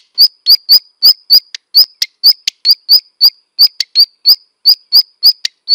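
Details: Black redstart producing a steady string of crisp, clicky high notes, roughly three per second, each ending in a thin whistle, with a few fainter ticks slipped between them.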